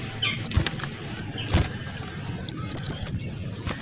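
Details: Small minivet, male and female voices combined, a bird-keepers' training recording for magpie-robins. Thin, very high whistled notes, some sliding down, then a quick run of four or five bright chirps near the end, over faint background hiss.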